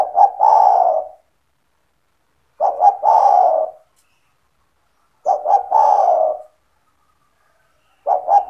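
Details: Actively calling pet spotted dove, its coo played so other doves are lured to call too: a steady series of soft coo phrases, each a short double note and a longer falling coo, repeating roughly every 2.6 seconds.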